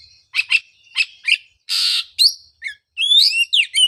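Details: Oriental magpie-robin song meant to prompt a bird silent after moulting: paired sharp chirps, then a long harsh rasping note, followed by sweeping whistled slurs, all high and clean.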